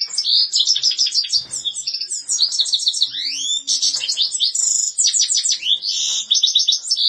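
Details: Rapid, liquid goldfinch song: bright chirps, metallic trills and upward-sweeping whistles tumbling together in a continuous, varied stream with brief gaps.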